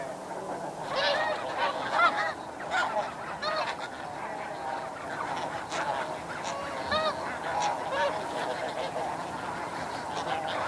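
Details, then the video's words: Snow geese at Chincoteague, Virginia, give nasal, barking flight honks from a large flock in flight, many overlapping calls, with a steady background murmur of more distant flock calls. "Snow Goose. MD Flight Calls With Flock Calls In B/G."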